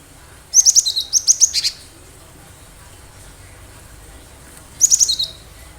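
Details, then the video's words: Wild-caught Cinereous tit (gelatik batu) singing actively, a recording used as a lure to draw other birds into responding: two bursts of rapid, high, sharp chirping notes, the first about a second long, the second shorter, over a quiet background hiss. "Gelatik batu gacor suara asli liaran cocok buat pancingan pikat burung"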